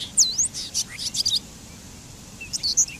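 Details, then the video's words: Bobolink song: high, sharp notes sweeping down and back up, a quick cluster of bright chips, then a pause before a few more high, tinkling notes. "Canto del Charlatán"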